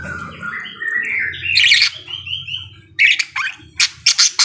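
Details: Parakeet singing a rising series of whistled notes into a bright trill, then sharp repeated clicking chirps in quick bursts.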